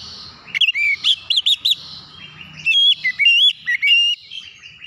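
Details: Oriental magpie-robin song used to train young untrained birds to sing loudly: two phrases of loud, ringing whistles, the first with rapid repeated notes and the second with slurred rising and falling notes.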